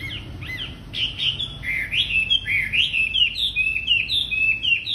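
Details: Wambi bird singing steadily, used as a lure for training untrained wambi birds: a continuous chain of high, sweeping whistled notes that rise and fall, delivered rapidly without pause over a quiet low background.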